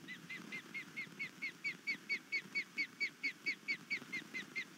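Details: Osprey on a Savannah, Georgia nest, upset by an overnight intruder in March 2019, repeating clear down-slurred whistles at a regular, rapid pace, roughly two per second, against soft low rumble.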